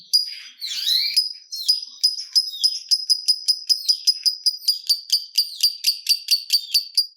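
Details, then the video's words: Lovebird in long chattering song meant to set other lovebirds singing: a harsh opening squawk, then shrill, clipped chirps repeated ever faster, several per second by the end. "Pancingan Burung Lovebird Ngetik Bikin Gacor Ngekek Panjang !! Lovebird Lain Langsung Nyaut Gacor"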